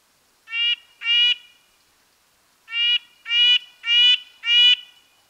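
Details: Red-breasted nuthatch giving its high, nasal call, likened to a tin trumpet: two quick honking notes, a pause of over a second, then four more evenly spaced notes, against a quiet background.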